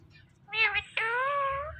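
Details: Indian ringneck parrot at home uttering a short, meow-like two-part word, the second part drawn out and slightly rising, with a low hum behind.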